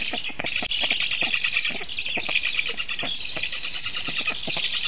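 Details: Black stork chicks in Sigulda region, Latvia, defend themselves at the nest from a goshawk on the afternoon of 1 August 2021, after the adult left without feeding them. Steady, high, scratchy wheezing continues over irregular tapping and knocking.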